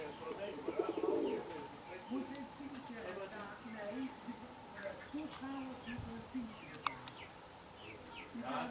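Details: Indian Fantail fancy pigeons recorded in Alkmaar, Holland: one clear rolling coo early on, then faint low murmuring notes and scattered clicks in the background.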